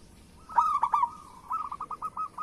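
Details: Local perkutut, the zebra dove, singing a lure song to prompt other doves into voice. A loud rapid stutter of coos gives way to a long even series of evenly spaced, softer cooing pulses.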